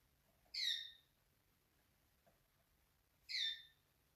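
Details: Canary at a bird market in Karachi, Pakistan: two short, bright chirps, each sweeping downward, spaced about three seconds apart, over a quiet background.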